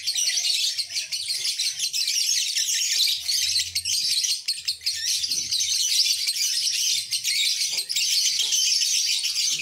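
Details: Long ngekek trill from a lovebird: a sustained high, rapid chattering trill running unbroken for nearly ten seconds with only slight rises and dips in loudness.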